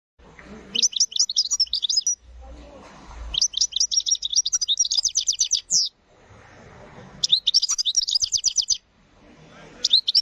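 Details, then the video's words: Wild field European goldfinch singing a clean, country-style "pico de oro" song, offered as a tutor song for young goldfinches: three bursts of rapid, high, tinkling twitters and trills, separated by short pauses, over a faint low background hum. "الحسون المهاجر تغريد قديم للفراخ 2023 Jilguero "pico de oro" sonido limpio cantando campero"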